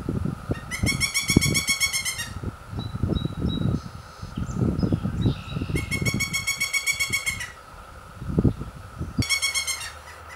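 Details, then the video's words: Three young Pileated Woodpeckers at the nest, begging as parents come in to feed them: three bursts of harsh, rapidly pulsed, rich-toned calls, each about one and a half seconds, over low knocking and thumping and a steady hum. "Pileated Woodpecker Chicks At the Nest"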